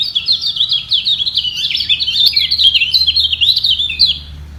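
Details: Kecial kuning, the lemon-bellied white-eye, in a singing duel. Neither bird gives way. A rapid, unbroken stream of high twittering notes and sharp rising-falling slurs lasts the whole stretch, with a faint low hum underneath.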